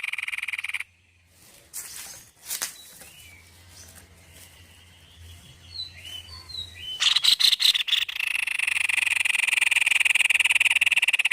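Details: White-necked babbler in very active song: a harsh note, a pause, scattered faint squeaks and thin whistles, then a dense, buzzy, rapidly repeated rattle of harsh notes that continues steadily to the end.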